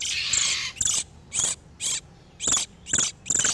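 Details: Breeding-condition oriental magpie-robins, male and female, used to lure wild birds: a long rough churring note, then short scratchy calls spaced about half a second apart.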